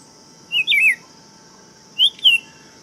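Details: Buff-throated Saltator singing: two short, sweet warbled whistled phrases, each dipping and rising, spaced about one and a half seconds apart, over a constant high-pitched insect-like drone.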